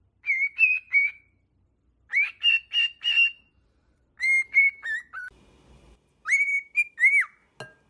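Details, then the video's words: Pet cockatiel singing, meant to teach cockatiels to sing: four phrases of buzzy whistled notes, level then falling, with a brief low rumble between phrases and a final arched whistle. "Training Cockatiel to singing"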